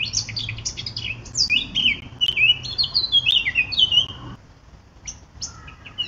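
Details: Eurasian blackcap warbling quickly through mixed chirps and fluty whistles for about four seconds, followed by a quieter pause with a few scattered notes.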